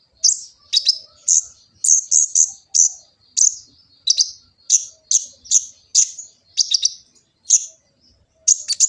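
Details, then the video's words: Kolibri ninja sunbird singing in Gresik, East Java, captured on an Android phone to serve as a master song: very high, piercing chip notes repeated in regular bursts about every half second, otherwise quiet. "Kicau burung kolibri ninja full isian"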